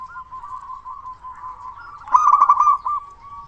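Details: Zebra dove, a local bird singing loudly, used as a lure for other doves; a long, steady, wavering coo that breaks into a louder, rattling trilled burst before fading back to a soft coo.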